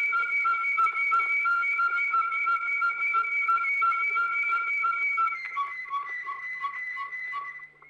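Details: Old record from Belgium of a Waterslager canary: long pure whistled notes in pulsed rows, shifting to lower choppy bell-like notes at the end.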